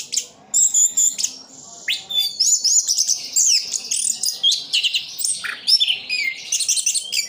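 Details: Orange-headed thrush, a cage bird from Sidoarjo, East Java, delivering very high, rapid twittering and whistled phrases, densely packed and continuous.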